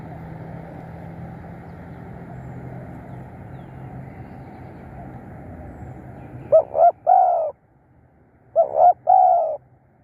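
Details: Long stretch of hiss and low hum, then a spotted dove used as a decoy to lure wild birds gives two coo phrases of clipped notes ending in a drawn coo.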